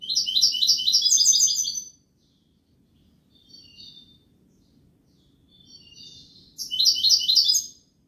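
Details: European goldfinch song in the kubiya malqa style: two loud bursts of fast, tinkling, buzzy twitters, each about one to two seconds long, separated by a pause holding soft scattered chirps, over a low steady background hum.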